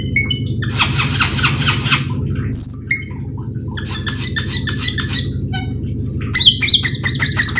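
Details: Cucak keling lure song, delivered nonstop with full fill phrases to draw other cucak keling into singing: dense scratchy chattering bursts alternating with a thin high whistle and quick twittering, all over a low continuous hum.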